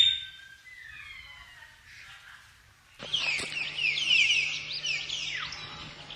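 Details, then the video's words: Common hill myna singing naturally: a few faint sliding whistled notes, then a loud, harsh, buzzy screech held for about two and a half seconds before it drops away. "Tiếng chim Nhồng(chim Yểng) hót tự nhiên"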